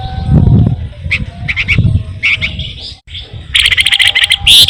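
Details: Actively singing flamboyan, a recording used to lure songbirds: scattered short chirps and whistled notes, then a dense, rapid rolling trill of sharp high notes that grows louder, with low background rumble.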